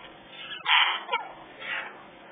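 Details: Three African grey parrot babies at a rescue aviary: a burst of loud, harsh, rasping calls, one long and one short, followed by a fainter wheezy call, with constant background hum.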